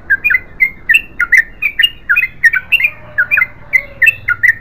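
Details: Energetic long continuous song of a Yellow-vented bulbul, the 'gacor ropel panjang' style: crowded, bubbling, chattering notes in rapid clusters with sharp clicky edges, barely pausing, over a low background hum.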